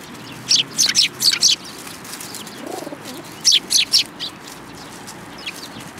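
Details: Eurasian tree sparrows coming to be fed at Tenmangu shrine, 10 February 2022; two bursts of bright chirps, four rapid notes then a pause, then four more, with a soft low coo between them.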